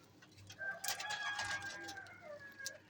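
Lovebirds chatter in bursts of sharp, high chirps and squeaks with short rising and falling notes, busy for nearly three seconds against a quiet background.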